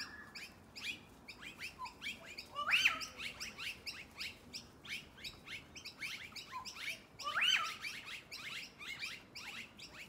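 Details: A group of noisy miners (Manorina melanocephala) gathering shortly before dark keeps up a dense, harsh chattering of short chirps, broken twice by a louder, arched squeaky note.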